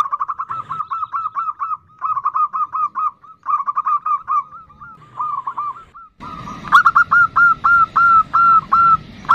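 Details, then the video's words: Female zebra dove calling to a male, the 'nutut' sound. A long run of short, mid-pitched, hollow notes given in rapid bursts, then louder, spaced notes with a noisier background. "Perkutut Betina memanggil jantan, seperti ini suara NUTUT"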